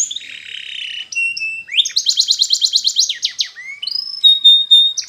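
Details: Singing canary in a training recording: a low wavering buzz, short level whistles, then a fast loud rolling trill of swept notes, finished by rising slurs and a pure held whistle.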